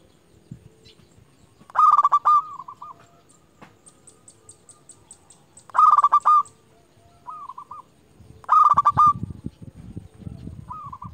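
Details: Champion local zebra dove lure bird, calling rivals, delivers three loud trilled rolling coos about four seconds apart, each followed by a short soft stuttering tail, with faint low rustling in the background.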